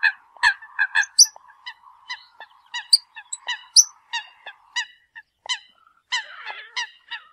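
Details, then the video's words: Eurasian coot summoning the flock with many short honking notes, some higher squeaky ones mixed in, over a faint steady drone; a brief scratchy burst near the end. "Tiếng kêu của Chim Sâm Cầm || Chim Sâm Cầm gọi đàn"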